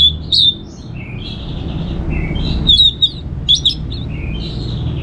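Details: Calm ngeplong song of the Orange-headed thrush, used to set home birds singing: clear level whistles alternating with lower slurred notes, short phrases repeated with brief gaps over a quiet low hum.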